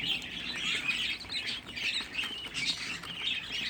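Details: Sixteen budgerigar chicks kept together at a home breeder's, chirping in a dense, continuous chorus of high, scratchy tweets and squeaks that overlap without pause.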